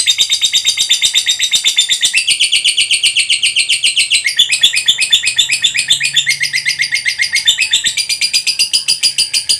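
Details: Lovebird in a long ngekek trill: a nonstop, fast, high chattering buzz about four pulses per second, shifting pitch and texture slightly over nearly ten seconds.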